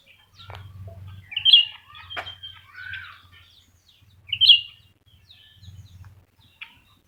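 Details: Two black-crested bulbuls competing, both singing strongly; two bright whistled phrases about three seconds apart with scattered chips and a short lower warble, over an intermittent low humming buzz.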